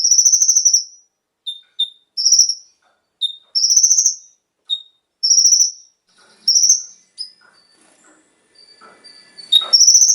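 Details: Brown-throated Sunbird (konin) song used as a prompt for captive birds. Loud high trilled phrases are interspersed with short lower whistles, then quieter scattered notes and faint background clatter before a final trill.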